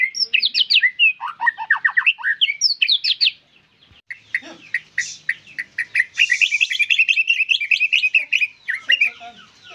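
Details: Lively white-rumped shama song: fast descending trills and chattering notes, a short pause, then a long high rapid twittering run with faint hissing in the background.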